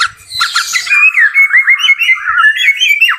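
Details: White-rumped shama, a farm-kept bird in full song: a brief run of warbled whistles and slurred notes wavering in a mid-high register, with a harsh squawky burst at the start.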